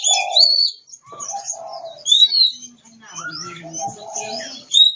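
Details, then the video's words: Oriental magpie-robin from Kebumen, Central Java, singing loud varied whistled phrases: rising and falling clear notes, short slurred trills and sharp upslurs separated by brief pauses, with faint low sounds underneath. "Suara burung kacer jawa tengah kebumen"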